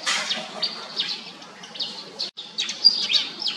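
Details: Pied fantail uttering high scratchy chips and brief downslurred squeaks in irregular bursts, with a short gap midway, against light background noise.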